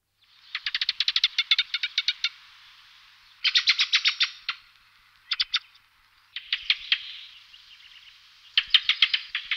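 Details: Blue rock thrush (Monticola solitarius), song.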